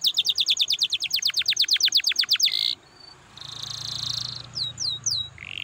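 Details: Canary singing to stimulate other canaries: a rapid trill of high sweeping notes ending in a buzz, then a quieter buzzy stretch and a few sweeping notes.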